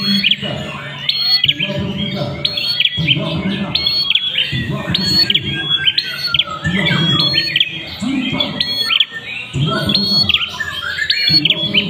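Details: Ashy prinia song, a steady run of sharp, high chirping notes repeated in short bursts every second or two, with low human chatter in the background throughout.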